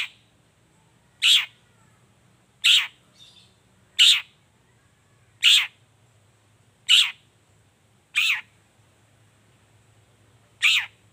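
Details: Long-tailed shrike in full voice in the morning, used as a lure to make silent shrikes answer; a harsh, broadband rasping note repeated about every 1.4 seconds, steady and evenly spaced, with a faint low hum behind.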